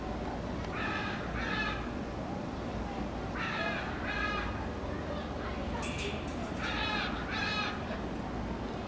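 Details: An outdoor cockatoo in the birds of the island section at ABQ BioPark Zoo in Albuquerque, New Mexico, calls in hot weather, audible several enclosures away: loud, harsh, raspy screeches, mostly in pairs, about seven over nine seconds, over a low hum.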